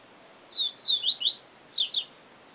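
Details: Papa-capim (Yellow-bellied seedeater) in Siu Siu Professor song: a pair of level whistles, then a cascade of loud rising and falling slurred notes, highest near the close, against faint steady hiss.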